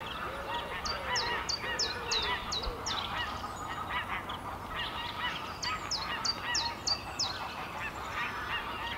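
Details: A common chiffchaff in Denmark gives its spring song, from late March, a rhythmic tjif-tjaf: two bursts of high, sharp notes at an even pace, about three per second, over a steady background of honking geese.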